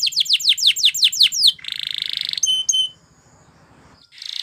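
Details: Belgian canary song meant to teach other canaries to sing, opening with quick swooping descending notes, then a buzzy rolling trill and a few sharp high chips before a brief quiet spell; low background hum.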